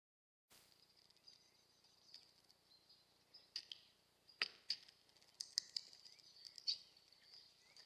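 Hawfinch giving short, sharp, high ticks, singly and at irregular intervals, over a steady high-pitched hiss of background noise.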